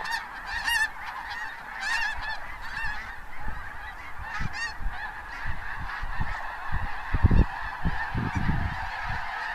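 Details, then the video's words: Snow geese rising in their hundreds from cornfields at Bosque del Apache, January 2014, shortly before sunset; a steady chorus of squawks, loudest early with clear separate honks, then softer behind heavy low buffeting noise. "The "squawking" sound is from the geese"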